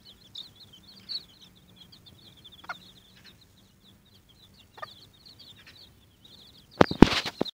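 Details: Watermaalse bantam chicks squabbling over an earthworm; quick high-pitched peeps run almost without pause, with a few louder sharp cheeps standing out, then a loud rustling burst near the end.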